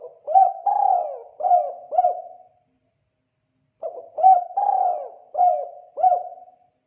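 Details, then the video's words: Spotted dove giving kuk 2 calls, used as a lure and training call: two similar phrases of soft, low coos, each a short note, a longer drawn note, then two quick notes, separated by a brief pause, with no other sounds. "Suara panggilan burung tekukur kuk 2"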